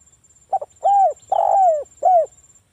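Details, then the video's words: Local wild-type spotted dove singing a lure song to make other doves answer: one complete coo phrase of a short double note, a long rough descending coo, then a short falling coo, over a steady high hiss. "SUARA BURUNG TEKUKUR ini PANCINGAN TEKUKUR"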